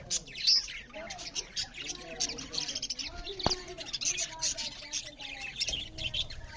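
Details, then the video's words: Budgerigars eating and chirping; a busy mix of high twitters and short chirps, with a sharp click and other faint sounds underneath. "Beautiful Budgerigars parrots Chariping loud with Something Budgerigars Eating"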